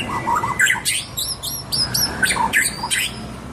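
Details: White-rumped shama (murai batu) in full, lively song: a quick jumble of sweet whistled notes, sharp upward sweeps and harsh chattering bursts, packed closely together over a faint background hum.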